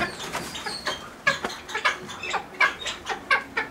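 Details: Captive cheer pheasant (Catreus wallichii) at a pheasant breeding farm gives short, harsh clucking notes, about two or three a second, with a raspy mid-pitched tone over light background noise.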